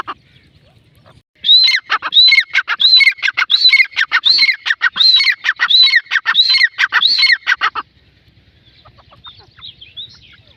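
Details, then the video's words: Female grey francolin (teetar) calling: a loud, ringing series of about a dozen harsh, repeated notes, each with a rising-then-falling twist, delivered steadily for roughly six seconds before the bird falls silent over a faint low hum. "Female teetar sound"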